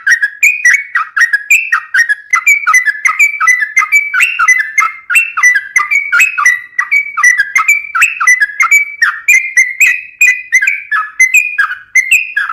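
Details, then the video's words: Sooty-headed bulbul singing continuously, a long stream of fluty, bouncing whistled notes that rise and fall in quick succession. "suara burung trucuk gacor bikin trucukan rajin berbunyi"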